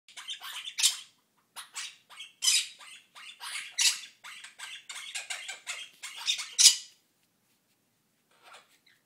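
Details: Pet Quaker parrot calling indoors: harsh, buzzy squawks in uneven bursts, several loud raspy notes spread over about seven seconds, then a couple of faint notes near the end.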